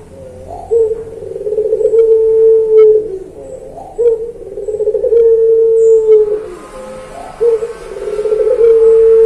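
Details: Kept puter pelung dove from a training recording for songbirds: three long, deep coos, each opening with a short rising lead-in and then holding an even tone, spaced about three seconds apart, with faint hiss later.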